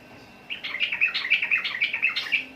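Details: Sooty-headed bulbul singing: a bubbly run of short chirped notes, rising and falling quickly, about nine notes over two seconds against a quiet background.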